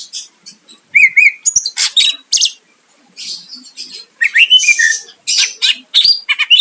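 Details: Greater green leafbird song to lure a rival into responding, with trilled whistles, harsh buzzes and sharp upslurred notes in quick varied bursts.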